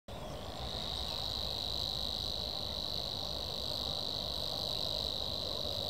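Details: Savi's warbler singing a continuous, even buzzing reel held at a steady high pitch without a break, over loud low rumbling background noise.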